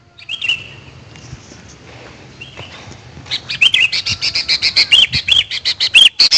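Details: Sooty-headed bulbul call used as a lure for wild birds. A few short whistled notes come first over a quiet hiss, then a fast, uneven run of sharp chirping notes grows louder toward the end.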